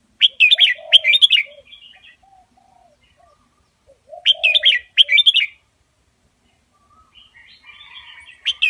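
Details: Indo double-style master song of a red-whiskered bulbul, used for teaching young birds: loud clusters of quick, rich warbling notes repeated every few seconds, with lower soft whistles trailing after each phrase.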